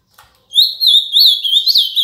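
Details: Azulão, the ultramarine grosbeak, from Paraná in Brazil, pouring out a loud continuous warble of sweet, rising and falling slurred whistles for about a second and a half after one faint chip.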